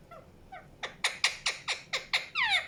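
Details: A rose-ringed parakeet (Indian ringneck) gives about eight harsh, shrill, downward-sliding squawks in quick succession, roughly four or five a second, after two faint softer notes.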